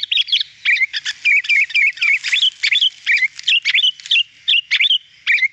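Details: Sooty-headed bulbul, a very vocal (gacor) bird used as a lure for wild bulbuls, chattering in quick bright notes: short bubbly chirps and little rising whistles several times a second, with no other sounds.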